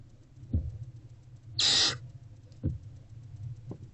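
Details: A hungry barn owlet tearing at a rodent in its nest box, 29 February 2024, around 1 pm: one loud, breathy screech lasting under half a second, with soft thumps and clicks before and after.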